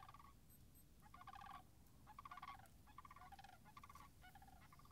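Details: Rapid overlapping rattled bugling from Sandhill cranes by a marsh on 26 March 2019, frozen puddles nearby; purring rolls follow one another almost without pause, with a faint high chirp early on.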